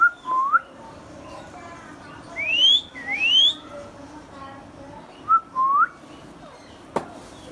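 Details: Hand-tame pet Indian ringneck parakeet, green, giving several short whistled notes, some rising sharply, others a swooping upward slur, separated by pauses over a faint room hum, with a sharp click near the end.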